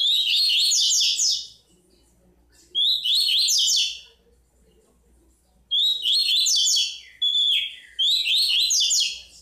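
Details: Tui-tui style song from a bico-de-pimenta chestnut-bellied seed finch: four short, loud phrases of clear rising whistles and quick chattering notes, each lasting about a second and a half, with quiet gaps of one to three seconds between them.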